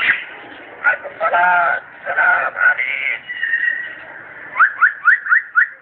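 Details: A pet parrot chatters in human-like Arabic-sounding phrases for about three seconds, then gives a run of six quick rising whistles, roughly three per second.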